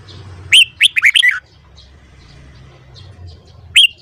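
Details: Caged red-whiskered bulbul during morning voice training: one rich phrase of five bouncing whistled notes, followed three seconds later by a single sharp rising whistle.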